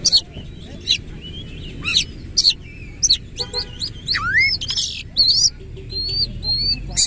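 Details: Oriental magpie-robin, described as singing energetically with rapid rolling phrases and fanning its tail: varied sharp high whistles, upward and downward sweeps and short chips in bursts about every second, with a buzzy stuttered phrase and faint background noise.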